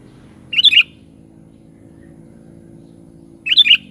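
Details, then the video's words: Sooty-headed bulbul giving two brief bubbly whistled phrases about three seconds apart, against a continuous low mechanical hum. "SUARA BURUNG KUTILANG"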